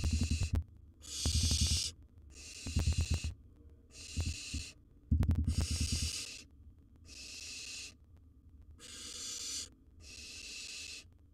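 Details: Barn owlet, wild, at its nest box with large gerbil prey, giving eight rough hissing screeches in a fairly even series, interrupted by loud rapid knocks and scuffling.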